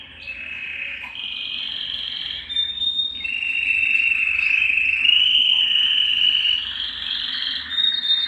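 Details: Belgian canary in full song, sung to stimulate males and bring females into breeding condition: long continuous rolling trills held at one pitch, stepping up and down between tours, with a brief rise near the end.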